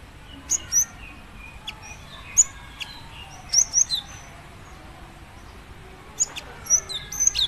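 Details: Female cinereous tit calls to a male in soft, scattered, high chirps and paired squeaky notes, fairly quiet against a low background hiss.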